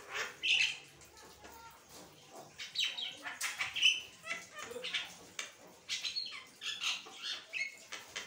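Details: Asian pied starling singing nonstop, chattering without pause: harsh scratchy bursts mixed with short bright whistled notes, tumbling irregularly over eight seconds with brief quieter gaps.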